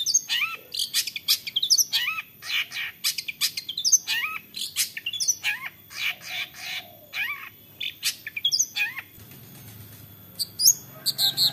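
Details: Long-tailed shrike in active 'toet toet' style song, used as a lure to make other shrikes sing along: rapid, dense run of sharp chirps, squeaky whistles and scratchy notes for about nine seconds, a brief lull, then bright notes resume.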